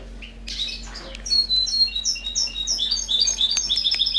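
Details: European goldfinch recorded in Amsterdam in 2011, singing a rapid, tinkling twitter of short high notes, several per second, that thickens into a dense chatter. A faint steady hum runs underneath.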